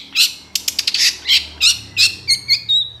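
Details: Long-tailed shrike, recorded to train other birds, uttering loud rasping chatter notes at about three per second and ending with thin high whistled notes, with faint low background hum.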